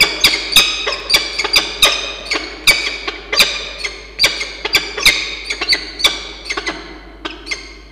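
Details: Peregrine falcons in a nest box in Orange, NSW, Australia, on 27 February 2022, as the male Xavier wakes the female Diamond for bonding: short, harsh chipping notes in irregular bursts, with sharp clicks and taps.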